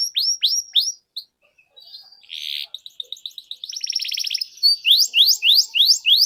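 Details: Lure song of a prolific canary for teaching young canaries: several downslurred whistles, a short gap, a harsh buzzy burst, then a rapid rattling trill and a string of rising notes.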